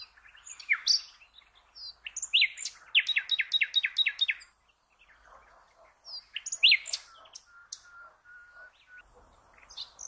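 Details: Common nightingale song for training birds: varied chirps build into a row of about eight crisp repeated notes, then more chirping phrases and a faint steady whistle near the end.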